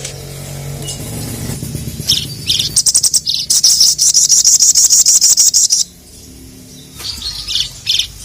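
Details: Ruby-cheeked sunbird challenging rival males with a fast, high, buzzy trill of evenly spaced notes lasting about three seconds, followed by a pause and a few scattered high chirps over a low background hum.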